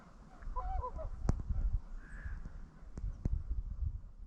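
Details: Swans flying over a lake and reeds on Rügen on a grey, cloudy day, passing without landing. A quick cluster of short nasal honking notes, then steady low wind rumble and a few sharp knocks.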